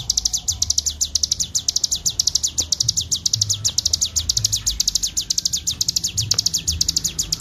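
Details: Bar-winged prinia singing a long, unbroken ngebren-style song, recorded as a clear master track for training birds: rapid, sharp, high descending chirps about eight per second, run together without pause over faint low rumble.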